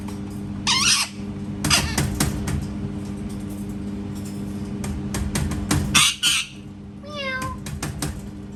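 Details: Parrot squawking amid background clatter and rumble, with a brief cat-like meow sliding downward near the end, mimicking a cat.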